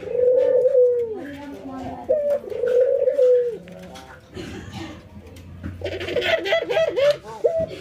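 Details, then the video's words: During routine training an albino white ringneck dove and a local ringneck dove nod and laugh. Two long throaty coos open, followed by rustling and then a quicker series of bouncing, looping notes among clatter. "puter putih albino versus puter lokal ngangguk dan tertawa"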